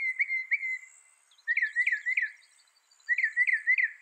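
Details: A mockingbird's short whistled notes come in quick clusters of three or four swooping, slurred tones, separated by brief pauses, over a faint high background hiss.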